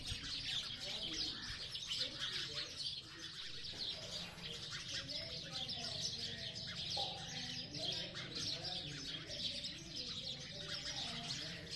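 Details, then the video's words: Sparrows chirp steadily in a busy chorus, dense high twitters overlapping without pause, with faint low murmurs beneath. "Sparrow bird sounds of chirping | chidiya ki awaaz"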